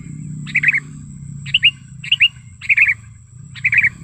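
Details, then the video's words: Sooty-headed bulbul lure call, described as natural and wild, used for tutoring captive bulbuls and luring wild ones: short bright chirpy phrases of two or three quick notes, repeated about once a second, over a low hum and a steady high tone. "Suara Pikat Kutilang Gacor ASLI ALAM Lanjut NGGARUDA Ampuh untuk Masteran Kutilang & Pikat Kutilang"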